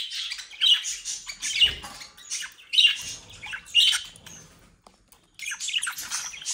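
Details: Budgerigars in a home breeding setup, South Holland, Netherlands: bursts of scratchy squawking chatter with several louder peaks, a short quiet gap, then chatter resuming.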